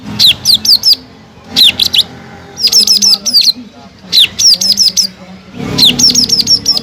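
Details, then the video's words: Greater green leafbird, a kept songbird, singing in repeated bursts of sharp descending whistled notes around a high pitch, each burst a quick string of four to six slurred notes, separated by short pauses, over a low background hum. "PANCINGAN CUCAK IJO GACOR EFEKTIF MENAIKAN EMOSI CUCAK IJO MACET BUNYI"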